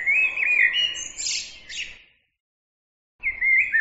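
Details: Small songbird giving lively whistled warbles mixed with high, rapid chirping trills. The song pauses for about a second, then resumes with a sharp rising whistle.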